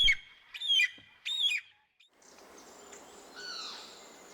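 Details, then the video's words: An African fish eagle, often heard before seen, whose call is a signature of Africa's waterways, gives two loud, ringing yelps that fall in pitch, then fainter, more distant yelping over a soft hiss. "The African fish eagle is often heard before it's seen."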